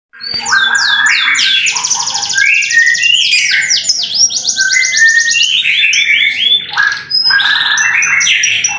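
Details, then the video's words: Domestic canary singing a 'tembakan' style burst described as super sharp: dense, loud rolling trills mixed with bright whistled slides and rapid chattering notes, continuous for nearly nine seconds with a brief dip near the end. "TEMBAKAN KENARI SUPER TAJAM"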